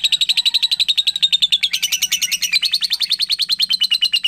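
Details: A young lovebird's long ngekek: rapid, harsh chattering pulses strung without a break, dipping slightly in pitch toward the end.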